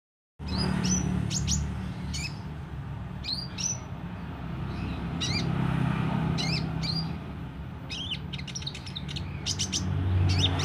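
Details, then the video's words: Kolibri ninja sunbird singing actively with beak open: scattered high, thin chirps and quick downslurred notes at irregular intervals over a steady low background hum. "Burung kolibri ninja mental baja buka paruh gacor dor"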